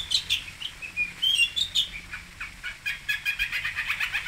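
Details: Long-tailed shrike, locally called cendet, pentet or toet, at Singosari: a softer rambling song of short whistled slurs and twittering chips, growing into a dense run of scratchy repeated notes at the end.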